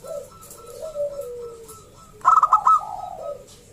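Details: Local zebra dove singing loudly, used to lure other zebra doves into calling: soft low coos sliding downward, then a sudden burst of rapid, bubbly, trilled notes near the end.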